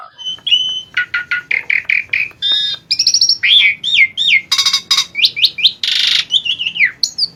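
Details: Lively 'gacor' song of an Asian pied starling from a master recording: fast varied stream of chirps, bending whistles, buzzy trills and harsh squawking bursts, with no pauses.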